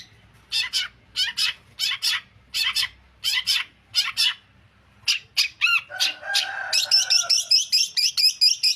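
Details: Long-tailed shrike giving harsh, rasping bursts about twice a second, then a run of varied chattering and squeaky notes, ending in a fast series of sharp, high, ticking notes.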